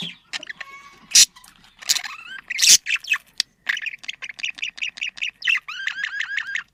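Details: Budgerigars, kept as pets, with a sound used to bring them into breeding condition: loud harsh squawks, then a steady run of short rising whistled chirps repeated about twice a second, ending in upward-sliding calls.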